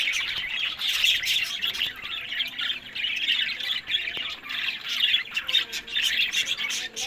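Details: Pet budgerigars kept for breeding in Larkana, Sindh, giving dense, continuous, buzzy chattering warbles from many birds at once, with scratchy squawks rising and falling in waves and no quiet gaps.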